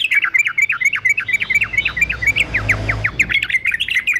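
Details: Fighter male yellow-vented bulbul for training songbirds: quick, evenly paced sharp chip notes strung into a rattling series, briefly slowing and then speeding up again, with a low rumble in the background.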